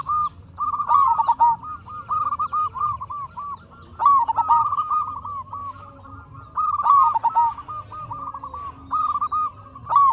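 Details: Local zebra dove, a keen singer, recorded as a lure to make other zebra doves answer: bursts of rapid, staccato mid-pitched cooing notes rolling into short trilled phrases, returning about every three seconds over a low background hum.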